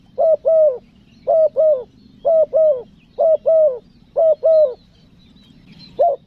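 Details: Lure call of a spotted dove for attracting wild doves, recorded in Lombok: clean two-part coos, a brief note then a drawn-out falling one, repeating steadily roughly every second, with faint low background noise.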